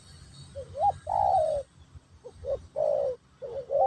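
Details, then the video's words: Spotted dove singing in Terkukur Pesom or Kacuk style to teach a new bird; soft lead notes, an upward hooked coo, then a long drawn coo, phrase repeated twice over low background rumble. "Burung Terkukur Pesom/Kacuk...Sesi Mengajar Burung Baru"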